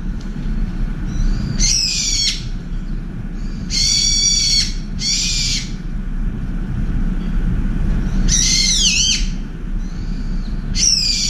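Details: Brown-eared bulbul at a window feeder, angrily chasing off a pigeon with ear-splitting shrieking calls: harsh, buzzy, rasping screeches in bursts about a second long, repeated several times over a low steady background hum.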